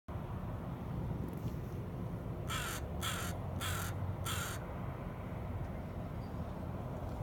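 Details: Crow calling near a dog and its owner while they wait for a ferry to Vesuvius, coming over to say hello; four harsh, evenly spaced caws over about two seconds above steady low rumbling background noise.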